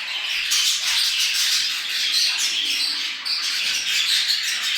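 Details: Mating-stimulation chatter of budgerigars: continuous dense warbling with scratchy squawks and thin whistled notes, steady throughout with no pauses, in a quiet background.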